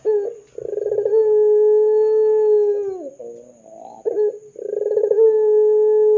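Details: Ringneck dove giving repeated long coos as a lure for other doves: each phrase opens with a rolling burr, holds a steady mellow tone, and sags at the close, with a soft purring interlude.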